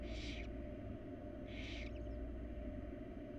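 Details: Two loud, breathy hisses about a second apart come from wild barn owl chicks begging while their mother brings food to the nest box, followed by faint high squeaks.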